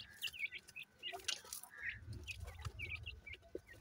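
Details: High chirps from grey francolin chicks come in quick clusters, mixed with soft fluttering or pattering noises and a low rumble in the second half.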